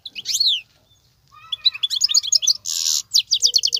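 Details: Wild European goldfinch in continuous song. A high sweeping note comes first, then after a short gap a quick run of tinkling twitters, a brief buzzy rasp and further rapid chirps.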